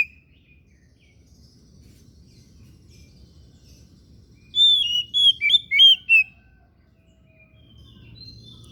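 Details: After a soft whistle and a long quiet stretch, an oriental magpie-robin of the kacer daput type gives one loud burst of rich, twisting whistled notes, then falls silent again.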